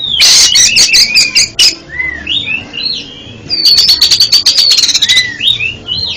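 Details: Oriental magpie-robin (kacer) song used as therapy for a bird that stutters in its singing: bright slurred whistles mixed with two bursts of fast, harsh, evenly repeated notes, the second lasting about a second and a half.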